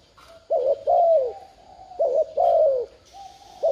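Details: Spotted dove giving stimulating coos meant to prompt a caged decoy bird to call. Two low phrases, each a short wobbling note then a drawn-out descending coo, with a soft high background hiss.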